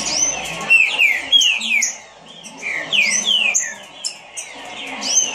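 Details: Fast song of a green-winged saltator, presented for its speed: quick sequences of loud, descending whistled slurs in tight bursts, roughly three notes a second, separated by short gaps, over quiet low background noise.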